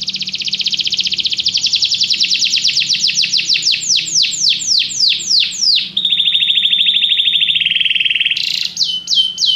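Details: Canary song: a long rapid trill slowing into separate descending sweeps, then a lower steady buzzy roll and a few high repeated notes at the end.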